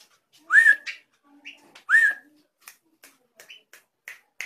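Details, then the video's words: Drongo giving unusual sounds: two clear whistled notes, each sliding up and then levelling, about one and a half seconds apart, with scattered soft clicks and faint chirps between them. "SRIGUNTING KRANTIL SUARA ANEH"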